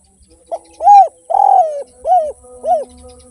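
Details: Spotted dove (derkuku) in full voice in the 'without kuk' or 'kuk 1' style: a single five-coo phrase. A short pickup, a strong arched coo, a drawn buzzy descending coo, and two softer rounded coos over a faint steady tone.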